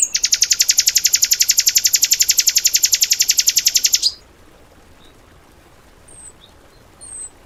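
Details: Cage-bird training material from a tembakan bird: about four seconds of an even, very fast mechanical trill of buzzy high notes, then near silence with a couple of faint thin whistles.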